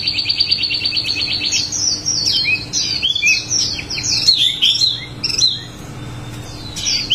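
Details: A wambi in full 'ngerol' song opens with a quick buzzy trill, then pours out varied high whistled and chirping phrases, some rising and some falling, in a lively unbroken stream.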